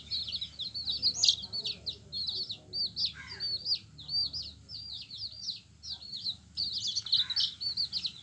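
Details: A brood of yellow baby chickens peeping busily, with many short, high, bending chirps crowding together. A brief lower sliding note cuts in near the third second over a soft background hum.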